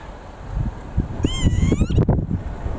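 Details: Northern lapwing in Bucharest, Romania, recorded with an Olympus E-5 camera: one wheezy, harmonic call that swoops up and then slurs down, under heavy low rumbling wind noise.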